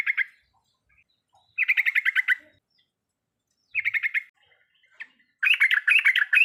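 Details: Full riwikan song of a yellow-vented bulbul, used as a lure for a bird that will not sing: short bursts of rapid, chirpy, stuttering notes separated by silent gaps, with the last burst longer and denser.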